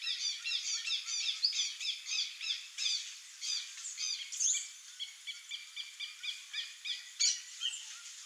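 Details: Male swallow tanager giving a steady run of short, squeaky, chirping notes, about three per second, each with a quick downward slur. The notes slow and space out toward the end, and a sharp high note cuts in near the seventh second.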